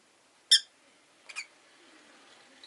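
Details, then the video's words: A pet rosy-faced lovebird gives one loud, shrill chirp, then a quieter harsh double chirp a moment later, in a quiet room. "Lovebird Chirping Sounds"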